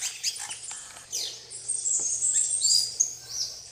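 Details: Plain parakeets feeding on bananas alongside tanagers and other birds at RPPN Santuário Rã-bugio, Guaramirim, Santa Catarina, Brazil; dense, shrill, high-pitched chattering with rapid overlapping screechy notes running almost continuously.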